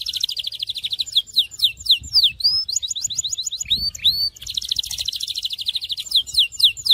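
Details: Canary song in the Syrian style, a varied sequence of fast high trills, rising and falling sweeps, and repeated clipped notes, with faint low rustling beneath.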